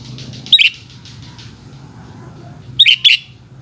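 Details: Sooty-headed bulbul in afternoon song, giving one short, liquid note pair followed after a pause by two more bright chirping bursts, against a steady low rumble and faint hiss.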